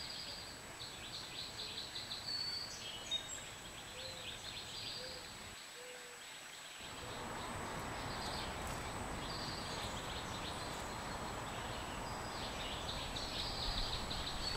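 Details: Scrub jay chicks in their nest on 25 April 2015, recorded with a GoPro Hero3+ Black, give rough, hissing high begging bursts in repeated clusters, fuller in the second half, against constant outdoor hiss.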